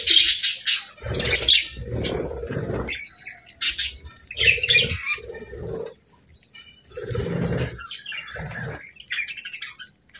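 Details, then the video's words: Happy budgies chirping and singing: bursts of scratchy high chatter and squawky notes come and go in uneven spurts, alternating with lower muffled thumps and rustling, about every second or two. "Budgie Sounds 🦜 | Happy Budgie Chirping & Singing"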